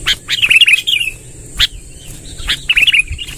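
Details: Sooty-headed bulbul, a lively bird: short clusters of sharp, bubbly chirping notes separated by single clicks and brief gaps, with a faint steady hiss in the background.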